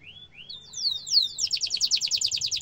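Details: Canary song meant for young canaries to imitate: upward-sliding whistles that quicken and climb into a loud, fast, pulsing roll.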